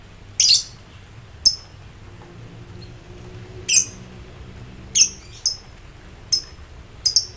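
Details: Excited lovebird calling rivals with ngekek song: short, harsh, high-pitched squawks spaced about a second apart, some doubled, over a faint low hum.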